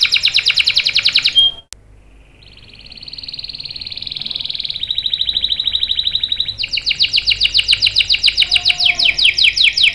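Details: Canary singing used to lure other canaries: a buzzy trill breaks off, then a long, smooth rolling warble builds gradually before a loud, fast rattling trill of repeated sweeps.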